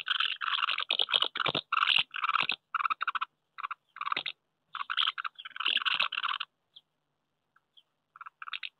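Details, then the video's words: Common house martins courting at nests on a wooden house in May 2023; fast dry chirrups in quick bursts for six seconds, then near silence broken by a few isolated chirps. "Mehlschwalben am Holzhaus, die Balz im Mai 2023"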